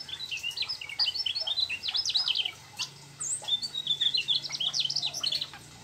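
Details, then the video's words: A Mugimaki flycatcher sings a fast, high, chattering run of twittering notes and quick trills, with a short pause midway, over a faint low hum. "Sikatan mugi maki gacor ngerol bongkar isian trucuk"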